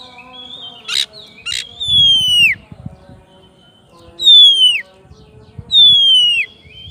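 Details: Oriental magpie-robin singing actively to call its rival, in the long-whistle ngeplong style: three long, loud whistles sliding downward, with two short rasping bursts near the start and faint low background rumble.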